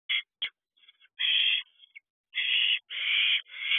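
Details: Four owlets in a nest box at night around 1:18 am on 25 June 2023, allopreening and snuggling; harsh, broadband hissing screeches in bursts of under half a second, separated by short silences.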